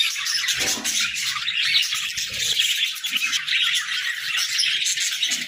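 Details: Several pet budgies chatter at sunrise, a constant stream of high chirps, squawks and warbled notes overlapping without pause, with faint low knocks beneath.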